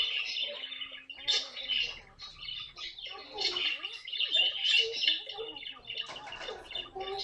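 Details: Pet caique parrot in rapid, noisy chattering, about three squawks a second, rasping and uneven, with some low voice-like sounds in the background.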